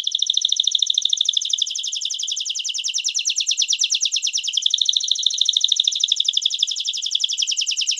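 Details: A canary sings a long, unbroken training song for teaching young and adult domestic and Belgian canaries: rapid high trills and rolling notes, shifting pitch slightly as it goes; nothing else is heard.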